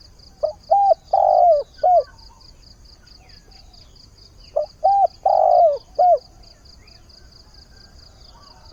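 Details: Spotted dove decoy calling to attract a mate at the start of the day; two phrases about four seconds apart, each of short coos around one long wavering coo. Continuous high pulsing behind.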